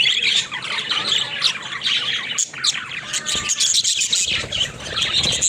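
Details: High, scratchy budgerigar warbling with sharp squeaks and chirps, briefly thinning out midway before the busy chatter resumes.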